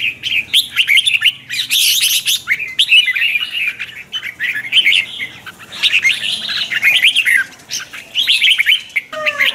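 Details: Morning lure song of a red-whiskered bulbul in the twisting chè style for training birds: dense, energetic phrases of bright warbled whistles, mostly continuous, with a few short pauses and faint low hum.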